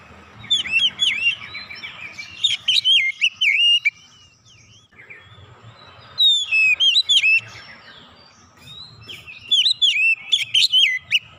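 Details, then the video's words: Oriental magpie-robin singing insistently, unloading hidden 'isian' phrases: three loud groups of fast warbled whistles and steep upward flicks, each lasting a few seconds, separated by quiet gaps. "kicauan Kacer membuka isian suara yang terpendam langsung ngotot bongkar isian"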